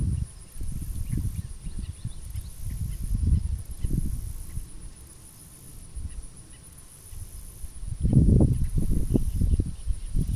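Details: Roseate Spoonbill at Bear Island WMA, South Carolina, giving low, guttural grunts in quick uneven bursts, clustered near the end, with a faint steady high hiss in the background.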